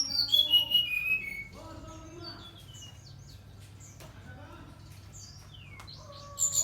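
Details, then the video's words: Brown-chested jungle flycatcher singing eagerly: a cascade of pure whistles sliding down the scale, then a quieter stretch of soft warbles, and a high whistle returning at the end. "Sikatan rimba dada coklat SRDC gacor"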